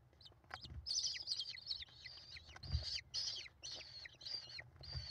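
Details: Five American kestrel chicks begging as their mother feeds them, recorded by a live nest camera on 28 May 2021; strident downward-hooked squeals repeated in a steady overlapping chorus, plus occasional thumps.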